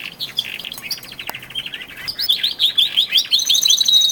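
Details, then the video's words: Twelve male canaries singing more intensely in early February, ahead of spring; soft chattering notes build into a quick run of rising whistled chirps ending on a bright sustained whistle. "canary song II"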